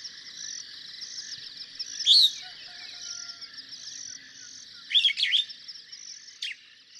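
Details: Superb starling, common in Kenya, with two brief bursts of sharp chattering notes about three seconds apart, then one short click, over a continuous high insect-like drone.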